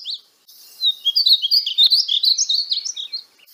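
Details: Painted bunting, native to North America, singing a fast, bright warble of high varied notes that jump up and down, run together for about two and a half seconds.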